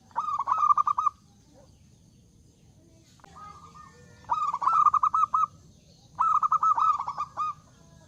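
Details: Big-voiced zebra dove song meant to invite rivals: three long rolling phrases of rapid throaty coo pulses on a steady pitch, the first alone, the last two after a short lead-in note, with pauses between.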